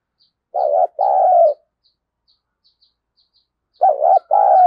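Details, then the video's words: Fight-provoking decoy spotted dove in the 'thổ' voice. Two throaty phrases, each a short wavering note and a longer mellow coo, about three seconds apart, with faint high clicks throughout. "Chim Cu Mồi Thúc Đấu , cu gay kich boi nhanh noi gù/cu gáy thúc đấu"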